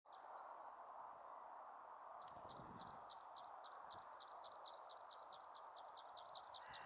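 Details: Meadow pipit at Bossche Broek, 22 March 2017, sings a fast series of thin, high, repeated notes that quicken as the phrase runs on, over a steady low roar of distant background noise.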